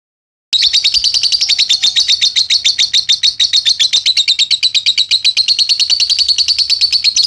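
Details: Lovebird song used as a training recording for other birds: a long, fast, even rattle of high, sharp chips after a brief silence, continuing steadily without pause.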